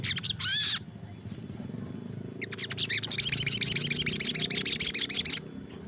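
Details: Lively crested jay, other birds joining in: one loud arched note, a pause, then a long fast rattle of harsh repeated notes lasting over two seconds before stopping abruptly.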